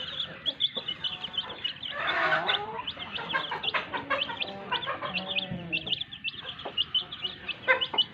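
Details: Hen brooding on her eggs gives a series of soft, low clucks and a rasping burst around 2 seconds, while dense high-pitched chirping continues throughout and a low drawn-out note sounds near 5.5 seconds.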